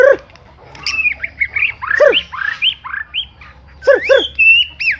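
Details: Murai song of the BORDAN type used as a master recording: clear whistled phrases with looping up-and-down slurs, short pauses between bursts, and a faint steady low hum.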